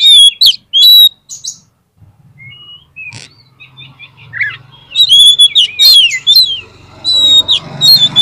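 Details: Oriental magpie-robin singing, a lure recording meant to make reluctant birds answer: loud sharp whistled bursts, a quieter stretch of scattered notes, then rapid descending whistles and chatter over a low background rumble.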